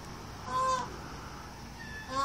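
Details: An Indian peafowl peacock gives two loud, nasal, honking calls about a second and a half apart, each brief and steady in pitch, over a low background hum; possibly a mating call.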